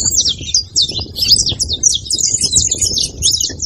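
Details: Saffron finch song played to stimulate a quiet canary: a fast, loud run of high, buzzy, chattering notes, about eight bursts per second, with low rumbling background noise.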